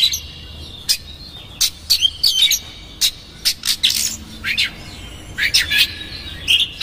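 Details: Oriental magpie-robin singing hard with rough fill-ins, used to provoke another magpie-robin. Harsh scratchy bursts and bright rising and falling whistles come in irregular clusters.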